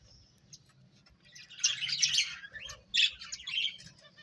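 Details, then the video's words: Quiet start, then finches at play break into a burst of bright high chirps around mid-clip, followed by a second shorter flurry of sharp tweets. "Cute Birds Chirping Sounds | Beautiful Finches Playing"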